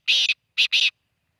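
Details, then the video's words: Black francolin giving a loud, harsh, grating call: one drawn-out rasping syllable, a short pause, then two quick rasps in succession. "kala teeter ki awaz"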